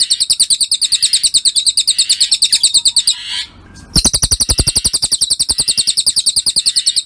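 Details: Cililin bird, a masteran recording for training songbirds: busy, high-pitched chirps repeated at a fast, even rate. A brief silence falls around three and a half seconds, then the same rapid chirping returns with ticking beneath.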